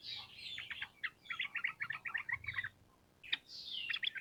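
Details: Sooty-headed bulbul, recorded for training birds: smooth downslurred whistles and a rapid train of crisp chattering notes, followed by another whistled slur.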